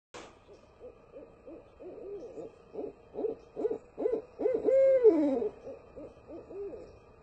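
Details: In a back yard in Sarasota, Florida, a Barred Owl gives a quick run of low, rhythmic hoots that builds to a long, drawn-out descending note, then trails off, over a faint steady hum.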